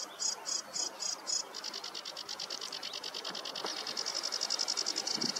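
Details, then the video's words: Sedge warbler singing on a meadow on a warm morning, 2 July 2024: five high, buzzy notes about a quarter-second apart, then a fast, dry chattering trill that runs on steadily. "Камышовка барсучок"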